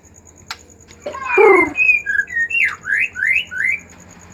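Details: White-rumped shama singing agitatedly, used as a lure to stimulate other shamas to sing: a harsh rasping burst, then a series of clear whistled notes, several rising and falling slurs repeated about every half second.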